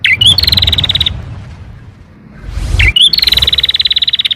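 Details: Canary singing a long, lively song used to coax reluctant canaries into singing: a short upswept whistle, then a fast rattling trill at a steady high pitch, a pause with low rumbling noise, then a second trill.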